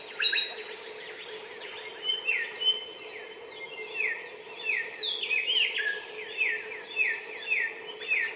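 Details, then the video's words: Wild bar-winged prinia in full song: dense, overlapping high whistled notes sliding downward in quick succession over a constant low background hum. "Burung Samyong Gacor Bernyanyi Di Alam Suara ngotot pedesse"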